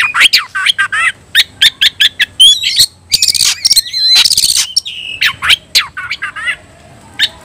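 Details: Oriental magpie-robin singing a combative fighting song that provokes rivals: a dense run of sharp harsh notes and rapid clicks mixed with bright sliding whistles, loud and nearly continuous with brief gaps.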